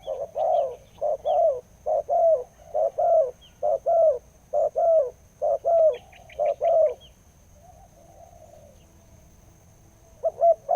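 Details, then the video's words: Deep-voiced wild spotted dove, a 'khu-ang' style caller followed for almost two years, giving a steady run of hollow, resonant coos roughly once per second, then a pause before resuming; thin high bird chirps in the background. "นกป่าเสียงใหญ่คูอ่าง เสียงดีมากเลยครับตัวนี้"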